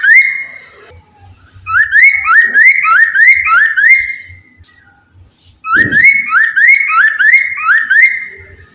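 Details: Persistent singer, a black-throated laughingthrush, heard as a lure to make other laughingthrushes sing: two long rapid series of about six clear upslurred whistles each, ringing and evenly paced, with a brief low thud between them.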